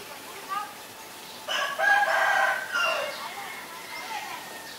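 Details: Asian barred owlet: a brief early note, then a loud, grating, raspy outburst lasting over a second, broken into chattering pulses that trail off into softer notes.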